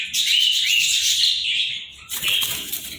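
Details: Pair of Indian ring-necked parakeets: a continuous harsh, raspy screech lasting about two seconds, a brief pause, then another grating burst.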